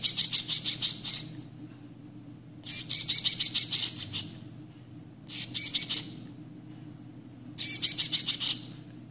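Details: Hand-reared Shiny cowbird nestling, parasitized by 27 Philornis larvae, begging while being cared for: harsh, raspy, high hissing bursts about a second long, four times with pauses, over a low steady hum.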